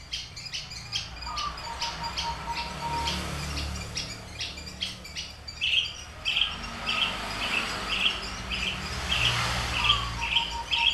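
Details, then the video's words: Horsfield's bush lark, Papuan subspecies aliena, a caged bird kept three years and taught finch songs, delivering rapid repeated chirps that give way to a run of evenly spaced buzzy notes, with a faint steady electrical whine behind. "branjangan aliena gacor / mirafra javanica aliena / branjagan papua"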